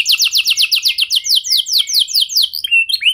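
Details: Canary lure song aimed at making other canaries respond, made of quick repeated descending whistled notes, about five per second, ending in a few rising chirps.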